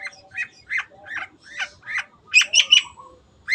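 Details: Long-tailed shrike giving repeated mid-pitched squawky notes about every third of a second. Three sharper, higher notes follow, with faint whistles in the background.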